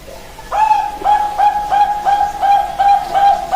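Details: Common hill myna calling: a series of short, clear tonal notes, each with a quick upward-sliding start and then a steady pitch, repeated about three times a second for three seconds.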